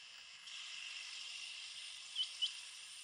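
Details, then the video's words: A male rain quail (Coturnix coromandelica) calls on Divar Island, Goa, in September 2017, giving two quick, sharp, metallic notes close together over a steady high insect hiss. "Rain Quail (Coturnix coromandelica) - Males calling"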